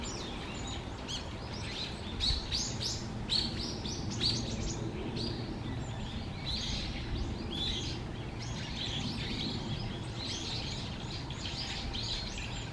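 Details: Little grebe chicks at feeding time begging for food, late November 2023, Musashiseki Park: a steady stream of thin, high peeping notes, several per second, over a low rumble of background noise.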